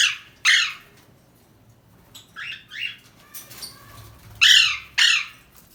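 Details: A pet Alexandrine parakeet, apparently trying to escape, gives loud, harsh, raspy squawks with softer chirps between them.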